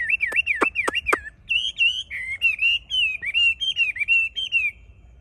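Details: A captive Chinese hwamei sings outdoors in Hai Phong on 25 January 2024, in cold windy winter weather of 8–10°C: loud, rich whistled phrases, four sharp notes then slurred warbling at mid-high pitch.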